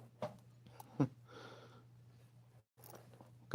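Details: Close chewing and crunching clicks over a steady low electrical hum, with no animal calls.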